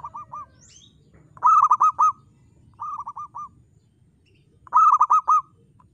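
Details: Local zebra dove singing actively with a clear, crystal-toned voice: rolling phrases of four or five mellow coos, a softer phrase alternating with a louder, ringing one, repeated about every one and a half seconds over a faint low hum.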